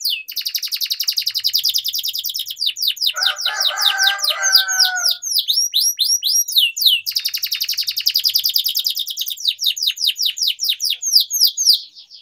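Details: Canary singing as a training lure for young birds, long fluent song of dense rapid trills and repeated down-slurred chirps, with a brief lower warbling phrase near the start; continuous and loud throughout.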